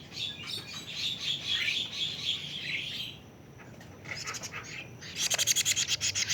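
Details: Plaintive cuckoo fledgling, 41 days old: a drawn-out, wavering buzzy hiss for about three seconds, then scattered scratchy notes and a loud run of rapid rasping pulses.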